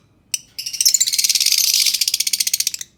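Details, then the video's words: Lovebird song for prompting silent lovebirds to sing: a single sharp squeak, then a fast, dry, rattling trill of high buzzy pulses lasting over two seconds, slowing slightly toward the end. "pancing suara lovebird yang diam Malas bunyi"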